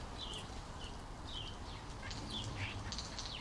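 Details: Common starlings fighting over garden feeders in the UK trade harsh, rasping screeches in quick overlapping bursts, several each second, over a steady low rumble of background noise.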